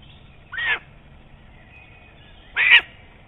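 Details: At a nest in Estonia, a nest camera catches a lesser spotted eagle giving two harsh, barking yelps two seconds apart, the second louder, against a low hum.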